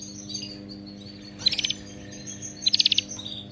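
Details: Canary singing, from a recording meant to train a pet canary to sing; two short bursts of rapid high buzzy trill notes with quieter chirps between, over a faint steady low hum.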